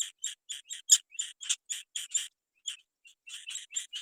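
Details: Young Black-winged kites, waiting while their mother is out finding food, give thin, high chirps about five a second, with a short pause partway through; nothing else is audible.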